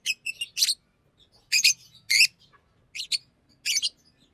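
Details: Green Fischer's lovebird chirping in uneven clusters: quick pairs and triplets of raspy notes separated by short pauses, with faint low murmuring underneath.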